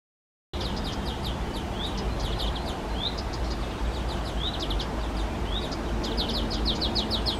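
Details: European greenfinch fledglings begging from their parents, with male and female adults present and loud far-carrying calls. Rapid series of short, high, sharp chirps and upslurred notes, several per second and irregular, over a steady low rumble.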